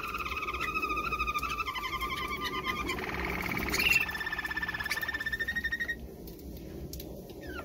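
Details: Malinois canary singing for mating, a steady rolling trill of rapid repeated notes that shifts pitch midway and then fades, set against a constant background hiss.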